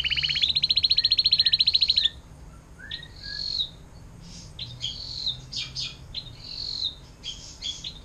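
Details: Canary in 'air mancuran panjang' song style, meant as tutor material for magpie-robins, leafbirds and shrikes; opens with a loud two-second pulsed trill, then scattered high chirps, short whistles and slurred notes.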